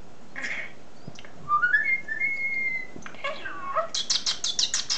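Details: Pet common starling indoors: scattered chirps, a rising whistled phrase with a clear held note, descending slurred notes, then a fast series of high clicking rattles.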